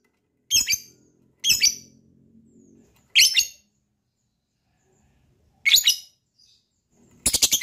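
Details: Lovebird calling to prompt other lovebirds to trill: four separate harsh, high chirps spaced one to two seconds apart, then a burst of rapid notes at the end.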